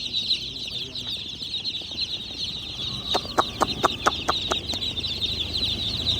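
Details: Tiny black and white chicks (Gallus gallus domesticus) giving a quick run of short, high peeps, about two per second, over a steady high hiss and faint background human chatter.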